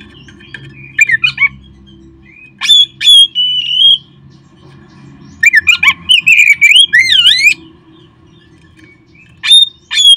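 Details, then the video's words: Oriental magpie-robin song meant to prompt kept birds to sing: scattered phrases of bright whistles, including a sustained level note and a dense run of swooping, up-and-down slurred whistles, separated by quiet gaps. "perangsang terb4ik jadikan Kacer Anda nge-play gacor seketika"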